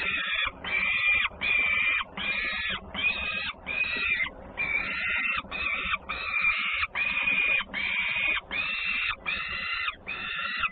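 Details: Peregrine falcons at a nest in Włocławek, Poland, on 3 June 2010, with two feedings and a sister bird arriving home noisily: harsh, rasping calls repeated steadily, more than once per second.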